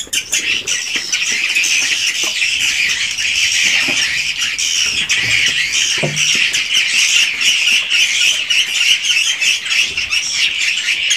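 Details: Inside a swiftlet house, numerous swiftlets keep up a steady, loud, rasping twitter, with crackly clicks and faint knocks beneath the continuous chorus.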